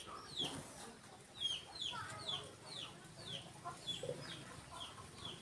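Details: Four-day-old munia chick that fell from the nest, giving thin, high chirps that slide sharply downward, repeated roughly twice a second in a steady series of about ten, over a low background hum.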